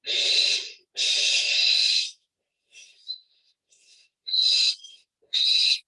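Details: Unhappy barn owl giving warning hisses: loud and breathy, two long bursts then shorter rasping ones, harsh and noise-like with no clear pitch.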